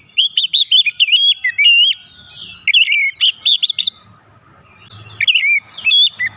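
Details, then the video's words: Oriental magpie-robin in energetic song, used to get silent, stressed birds singing: dense bursts of choppy whistled and warbled notes with high upward sweeps, in three groups separated by short pauses with soft low background sounds. "terapi cepat gacor | Kacer macet Kacer setres pasti gacor"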